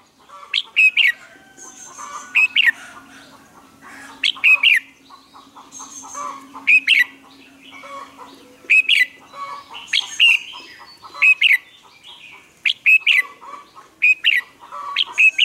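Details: Red-whiskered bulbul in full morning song, used to train other birds: emphatic chirping phrases repeated roughly every one and a half seconds, each a cluster of sharp whistled notes over softer chatter.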